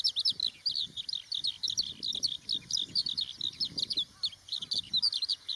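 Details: A Eurasian skylark sings a continuous, high, warbling torrent of rapid chirps, slurs and short trills, barely pausing throughout, above faint low background rustle.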